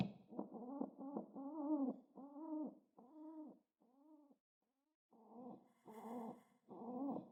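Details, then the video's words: Excited pet pigeon pecking the ground in hope of being petted: a run of deep, arched, buzzy coos, roughly one per second, a short silent gap, then louder coos resuming with faint rustling. "Pigeon Pecks the Ground in Excitement and Makes Cute Sounds while being Pet"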